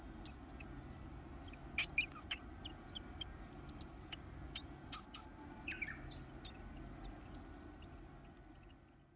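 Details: Varied tit chicks being fed, cramming in soft and hard food alike, produce a shrill, high begging stream of fast stuttering pulses, with one brief lower chirp midway.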